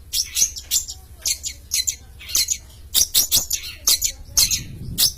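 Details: Champion long-tailed shrike in energetic song: a fast, unbroken stream of short, sharp chirps and scratchy notes, densely packed and high-pitched throughout.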